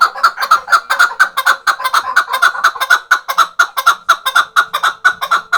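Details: Chukar partridge tethered for hunting, from the Khoja Mumin salt mountain. It pours out a loud, steady series of raspy chuck notes, just over two each second, with no other sound competing.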